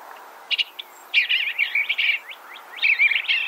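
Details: Eastern Bluebird singing short, soft warbled phrases in bursts, notes wavering up and down in a mid-high register, with brief pauses between groups.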